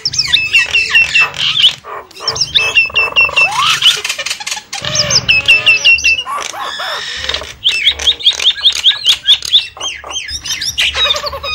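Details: Javan myna lure recording: a noisy chorus of harsh squawks and chattering mixed with bright whistled, hooked notes, calling busily with short pauses near two and five seconds.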